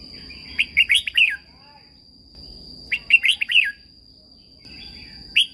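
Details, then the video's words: Red-whiskered bulbul song from Thailand, played to train caged birds: two bright, warbled phrases of quick rising and falling whistles, each under a second, about two seconds apart, over a steady high electronic whine. "นกกรงหัวจุก, เสียงนกกรงหัวจุก สำหรับต่อ หรือ เปิดให้นกคึก เสียงเพราะๆ"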